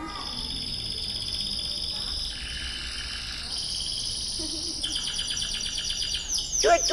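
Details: A recorded canary song played through a loudspeaker to children during a storytelling: a continuous high warbling with sustained whistled notes and rapid trills, ending in quick chirps, with room echo and faint voices.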